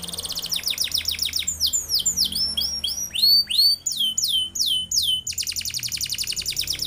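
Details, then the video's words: A canary used as a song tutor for other birds pours out a long, high, rolling song: rapid trills of downward-sweeping notes, a few slower whistled swoops in the middle, then another fast trill. "KENARI GACOR ngeroll panjang"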